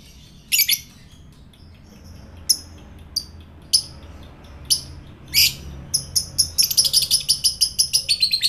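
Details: Lovebird sound for provoking fighter lovebirds: spaced sharp high chirps quickening into a rapid chattering series of repeated notes.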